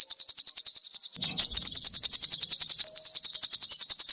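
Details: Sogoh ontong songbird singing actively, used as tutor song for training songbirds: a fast, even trill of high, sharp notes repeated about three to four times per second, with a brief break near the start.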